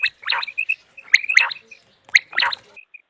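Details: Common quail calling for a hunting recording: short whistled notes mixed with throaty, gargling bursts, roughly one phrase per second.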